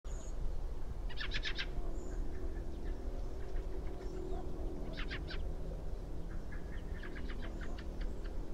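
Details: Fieldfare (Turdus pilaris) call, Xeno-canto recording added over footage of a flooded meadow in Germany in January: harsh, rapid chattering chack notes in short bursts over a deep rumble.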